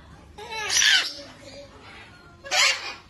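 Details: One of two hand-reared yellow-collared macaws (one male, one female) gives two harsh, raspy squawks about two seconds apart, with a faint softer murmur between them, in a quiet indoor room.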